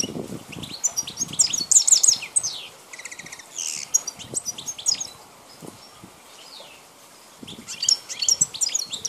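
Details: Wild Balkan European goldfinch recorded in 2010 singing a fast, tinkling twitter of high, sharp notes and short trills in bursts, with a quieter gap midway and rustling noise in the background.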